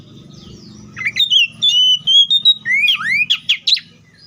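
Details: An Oriental magpie-robin delivers a sweet whistled phrase of sustained, slightly wavering notes, a long upward swoop, then three sharp chirps in quick succession; faint low background rumble at the start.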